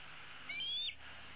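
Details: Bald eaglet, a female from 2016 roosting in the nest tree, gives a single thin, drawn-out whistled squeal that rises and ends abruptly, calling for her parents to bring food.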